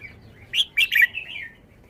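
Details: Red-whiskered bulbul song phrase: a rapid run of three loud, ringing whistled notes, the middle ones rolling downward, followed by a softer trailing warble.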